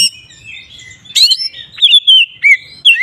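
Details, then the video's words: Kacer, or magpie-robin, ngeplong song for provoking other magpie-robins: a harsh buzzy burst followed by clear whistled notes that slide downward, ending in a rising whistle. "Suara burung Kacer ngeplong ini paling ampuh untuk pancingan Kacer agar emosi"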